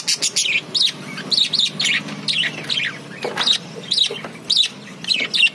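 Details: Budgerigar chirps come in short separate bursts of bright, high, twittering notes about every half second. Quieter gaps fall between them, and a faint low hum runs underneath.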